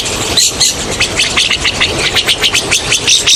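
Rosy starlings in a noisy, harsh chatter of overlapping high chirps and rasps, several every second, with a steady background hiss.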